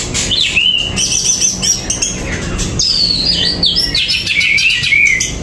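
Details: Greater green leafbird (cucak ijo), kept bird without cage cover, singing agitatedly ('gerabakan'): loud, continuous high whistled phrases with sliding, rising and falling notes and rapid chatter, over faint background noise.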